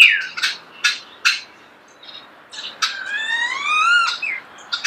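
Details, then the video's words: Starling heard close in nature: a few sharp clicks, then a long rich whistle that rises and swells, followed by more clicks. "The song of the starling"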